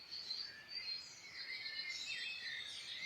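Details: Irish Midlands birdsong: overlapping high sustained whistles and fast twittering runs from several birds, steady and bright throughout the short stretch.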